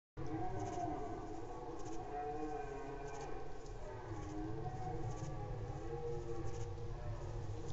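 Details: Cranes gather at Badger Castle at 22:53 on 13 September 2018, filling the air with overlapping, wavering trumpet calls that merge into a steady chorus over a deep, rumbling background, with Red Deer calling in the distance.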